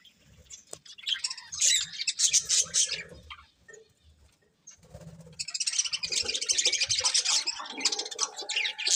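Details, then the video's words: Colourful budgerigars, a breeding pair kept as pets, chirping: bursts of rapid, high, scratchy warbling and chatter, a pause with soft low sounds, then a denser, continuous stretch of twittering. "Colourful Budgies Chirping Sounds"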